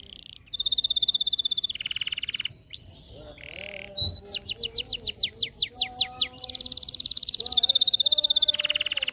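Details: Canary singing to encourage lazy canaries: a rapid high trill, a lower buzzy roll, a burst of sweeping notes, then more sustained rapid trills at changing pitches. Low steady background hum.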